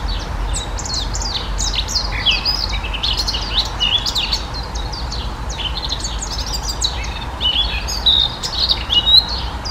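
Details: Song of a Eurasian blackcap (Sylvia atricapilla), a busy stream of bright, high warbling notes and fast slurred flicks running nearly continuously, with other birds calling in the background and a faint low hum.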